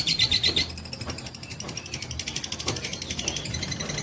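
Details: Fighter lovebird giving a long-duration provoking call: a rapid, high, buzzy pulsed trill with a steady ratchet-like rhythm of about four pulses per second, louder at the start, over a low background rumble.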